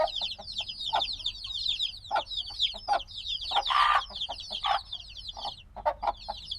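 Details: Noisy newly hatched black chicks, a few days old and still seeking warmth, peep in a steady chorus of high down-slurred notes; a louder, harsher burst near the middle and scattered knocks accompany them.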